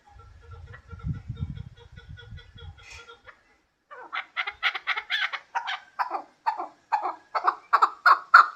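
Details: Hybrid chukar partridge. Low rumbling and a faint steady tone come first, then a short gap. After it, a burst of harsh, rapid clucking notes speeds into a rhythmic chuck series.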